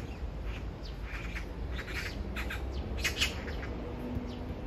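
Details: Magpie calling to its mate a few metres away, framed as a serenade: loud, scratchy squawking bursts in a rapid cluster, with low background rumble throughout.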